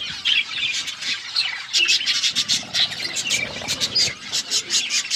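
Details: Several budgies chirp as they eat, a busy run of sharp, buzzy chirps and warbles pulsing in quick bursts, with faint rustling underneath.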